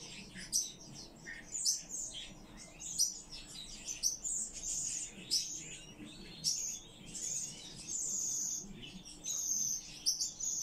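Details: Common chaffinches rescued and kept in care: clear, high, sharp chirps come about once a second over quieter scratchy twittering, against a steady faint low hum.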